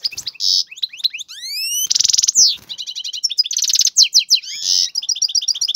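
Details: Courtship song of a male European goldfinch kept in a cage, sung to stimulate a female to mate: buzzy rattles, rising whistled glides, fast trills and chattering notes packed together.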